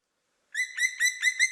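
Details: Black woodpecker (Dryocopus martius) giving a quick series of five harsh, ringing notes, about five per second, each slightly rising; described as very different from the standard call of the species.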